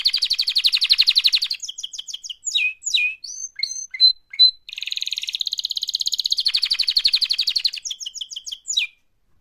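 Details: Canary song offered as a mating call: opens with a fast rolling trill, breaks into sharp swept whistles and piping notes, then another long rapid trill before final quick chirps.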